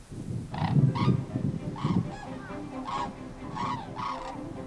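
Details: White-naped cranes, arriving in October on harvested rice fields of the Cheorwon plain, Korea, after a 2,000 km flight from Siberia to winter, give loud trumpeting calls, about eight in under five seconds, in irregular bursts over a steady low rumble.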